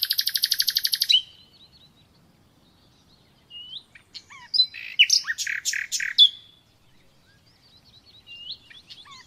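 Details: Common nightingale song opening with a loud, buzzy, machine-gun rattle of rapid broadband notes. Silence follows, then a varied phrase of sharp chirps, clicks and whistles.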